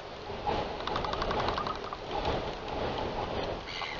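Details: Royal albatross sky call at Taiaroa Head at 7:26 PM on 11 October 2021, early in the breeding season as birds return: a fast, rattling clatter of pulses, then nasal, harmonic braying notes, all over a steady roar of wind.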